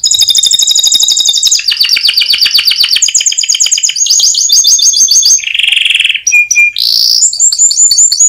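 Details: Contest-winning canary singing a long training song: successive tours of rapid trills at changing pitches, a low buzzy rolling section, a pure whistled note, and a closing high repeated trill.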